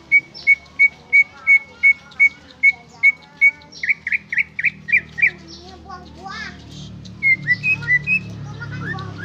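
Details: Greater green leafbird song: a steady series of short pure whistles, about three per second, breaking into buzzy upswept notes and mixed chattering phrases, with faint low rumble behind.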